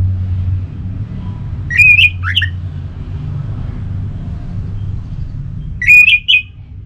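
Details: In Singaraja, North Bali, an orange-headed thrush gives two short bursts of harsh, squeaky rising and falling notes about four seconds apart, used as a lure recording to prompt other thrushes to sing, over a steady low rumble of traffic.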